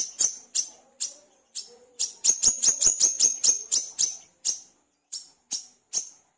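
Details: Brown-throated sunbird in full voice, used as lure audio: a rapid series of very high, sharp ticking notes, accelerating into a dense rattling burst of about a dozen clicks, then slowing to spaced single chirps.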